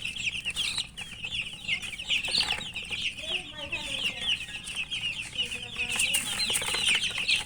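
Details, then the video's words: Murgi chicks feeding, a dense chorus of high, quick chirps running without pause, a few lower soft notes mid-way and scattered pecking taps. "Murgi chicks Chirping sounds and eating"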